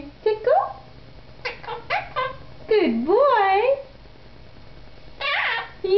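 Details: Pet monk parakeet, a male quaker, imitating human speech indoors: clear parrot-voiced words and short phrases with swooping, wavering tones, between a person's prompts.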